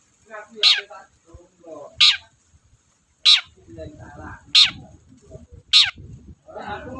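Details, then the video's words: A Long-tailed shrike sings energetically as lure material for quiet shrikes. Rasping, explosive notes recur every second or so over low muttering and softer chattering phrases. "BURUNG CENDET GACOR DORR, BIANGNYA PANCINGAN CENDET LOYO"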